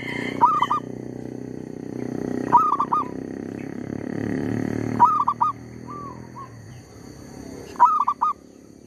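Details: Calling zebra dove serving as a trapping lure while a tree squirrel pesters it; short bursts of two or three rolling, mellow coos repeat roughly every two and a half seconds above a low droning background.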